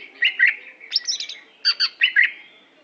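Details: Aceh-type greater green leafbird, a performing competition bird, delivering rapid clusters of harsh chattering notes and brief squeaky whistles in four quick bursts, fairly loud and clean, with a soft low background hum.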